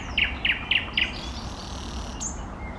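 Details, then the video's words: Four loud, evenly spaced rattling notes from an eastern nightingale, followed by a thin high whistle, with low background hum. "соловей восточный поёт песни Nightingale singing"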